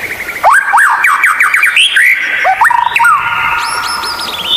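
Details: Rare White-rumped shama song used to train captive murai batu: a run of sharp zigzag whistled notes, then long steady tones and high buzzy notes, continuous and varied.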